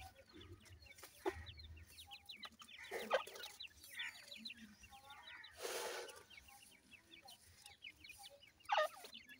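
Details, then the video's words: Soft, high, evenly spaced cheeping from a group of grey francolin chicks feeding and playing, with occasional rustles and one longer hiss of movement. "gora teetar chicks feeding,teetar chicks playing"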